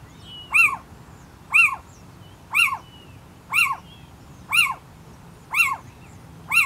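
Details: Little owl in Leicestershire calling unusually frantically: a harsh, rising-then-falling 'kee-ew' about once a second, seven times in a row, over faint background hiss.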